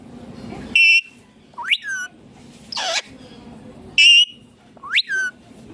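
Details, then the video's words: Indian ringneck parakeet calling: sharp, high whistled notes alternating with rising, slurred squawks that swoop upward then drop, in a repeating two-part pattern about every three seconds over a low background hum. "Indian Ringneck Green Parrot Natural Sounds || mithu baat Kat raha hain"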